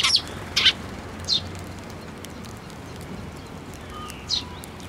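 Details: At a Tenmangu shrine, 7 May 2024, a sparrow coming to the hand for food utters a few quick, high chirps, two close together at the start and one near the end, over constant rushing noise.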